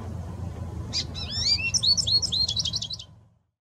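American goldfinch giving a quick run of about a dozen bright, high twittering notes, several slurred upward, over two seconds, with a soft low rumble behind.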